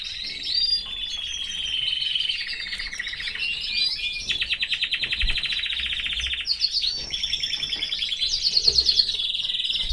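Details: Canary singing in a cage with its family: long clear whistled notes, then a fast buzzy trill of rapidly repeated notes, followed by more trilled rolls and bright chirps.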